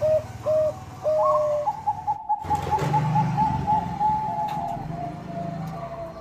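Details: Bangkok zebra dove singing as a lure for rival birds. Several separate level coos lead into a higher rising note, then a long rapid rattle of short pulsed notes after a brief gap, with low rumbling noise underneath.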